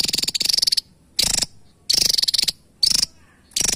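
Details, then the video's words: Javan tesia, a small bird with a sharp voice, delivering loud, coarse, stuttering bursts made of quick pulses, some ending in a thin high note, roughly every second. "Tesia Jawa Burung Unik ‼️ Burung Kecil Suara Pedas Istimewa"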